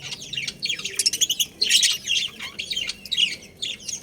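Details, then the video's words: Budgies of a breeding pair chirp in dense, loud chatter: rapid high twittering and sharp squeaky notes with hardly a gap. "Adorable Budgies Chirping Sounds"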